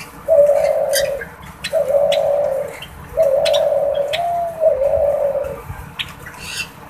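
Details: F1 hybrid male dove, a spotted dove father crossed with a pink ring-necked dove mother, courting: long, level, purring coos repeated three to four times, each about a second long, with a few clicks and faint chirps indoors.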